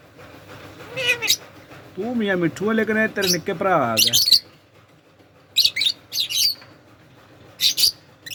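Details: Pet Indian ringneck parrot talking while bathing; a run of harmonic, speech-like vocal phrases over about two seconds, followed by several short sharp high-pitched squawks and splashing bursts.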